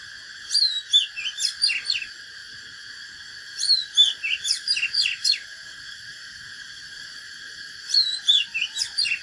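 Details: Fighting song of an Oriental magpie-robin used for training: three bursts of rapid whistled and twanging notes with steep sweeps, separated by pauses of about two seconds, over steady hiss.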